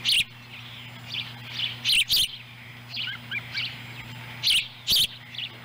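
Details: Ospreys at a nest in Lolo, Montana, July 18, 2017, during a fish delivery and feeding of a chick. Sparse high chirps and soft whistles come between loud sharp clicks, with a steady background hum.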